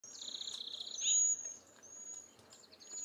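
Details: Cedar Waxwing from eastern North America giving very high, thin, drawn-out whistles, with a lower buzzy trilled note in the first second, then steady sibilant notes that keep sounding over faint background hiss.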